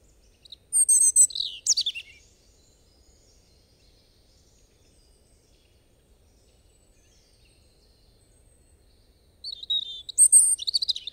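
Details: A European robin gives a short, loud, high and shrill phrase of tinkling trills, then falls silent for about seven seconds before a second sparkling, twittering phrase bursts out.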